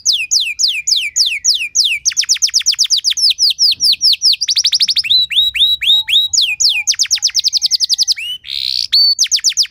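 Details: Canary performing luxurious 'cengkok mewah' phrases meant to coax other canaries into full song: long strings of quick downward-sweeping whistles, several per second, shifting between series, with a brief harsh burst near the close.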